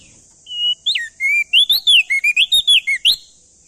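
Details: Loud male ashy tailorbird from NTB, used to prompt other birds to sing, opens with a level whistle, then a rapid series of sliding whistled notes, over a constant high-pitched hiss.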